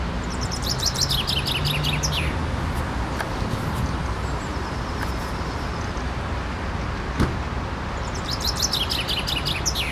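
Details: Chaffinch in a city park, filmed with a Canon SX30 IS: two rattling, downward-stepping song phrases, one at the start and one near the end, with constant road traffic noise and a sharp knock between them.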